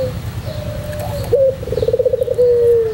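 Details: Single white pelung-type Barbary dove coo: a soft level tone, then a rapid pulsing trill that ends in a long, low, gently falling note, with a quiet hum underneath.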